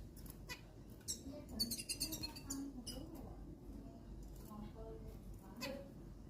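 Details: Zebra finches being set out to sun for their health give short, nasal, buzzy calls, some in quick bursts, over a low background hum.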